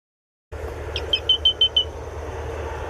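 Grey-breasted Crake giving a quick run of about six high, sharp metallic notes, evenly spaced, over a steady background hiss.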